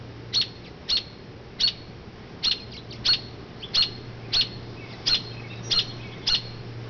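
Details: Mother robin calling from an oak branch away from her low nest whenever people walk by, distracting attention from it; sharp high chirps repeated about every half second to second, steady low hum beneath.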